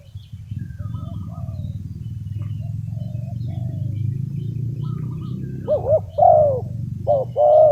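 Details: Spotted dove used as a decoy to call in wild doves for trapping: after a long stretch of low engine-like rumble and faint bird chirps, loud hoarse arched coos come in a short run near the end.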